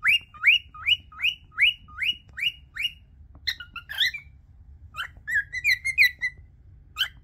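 A cockatiel whistles a run of quick rising notes, then breaks into a warbling, chirpy phrase.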